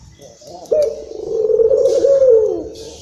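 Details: Agitated local Barbary dove, Indonesia, played to stimulate other doves; a single drawn-out low coo lasting nearly two seconds, trembling slightly and dropping in pitch at its close, preceded by faint background noise.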